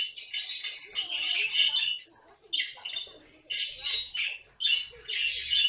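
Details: Harsh, grating squawks from a pet caique parrot, delivered in four clustered bouts separated by brief gaps, each bout a rough, buzzy screech.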